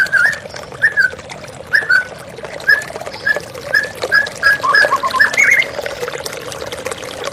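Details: Running-water therapy recording of a white-rumped shama meant to revive a stressed, silent bird: short clear whistles spaced about a second apart, then a quicker rising flourish, over steady flowing water.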